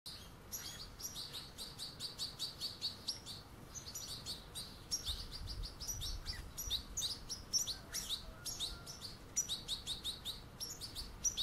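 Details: European goldfinch fledglings with adults at a puddle, the young chasing the adults: rapid, high, thin chirps repeated several times a second in steady bursts, layered by several birds, with a low rumble of background noise.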